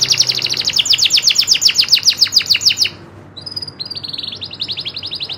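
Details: Local canary of the loper type firing a rolling song: a fast rattling trill of descending notes for about three seconds, a short pause, then a softer high trill.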